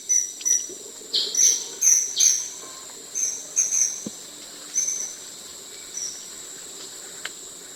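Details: Blue-eared kingfisher, a bird of Thailand that perches still to hunt and nests in burrows in banks or termite mounds, giving its shrill call: very high single notes in short irregular bursts, about a dozen, over a steady high insect drone.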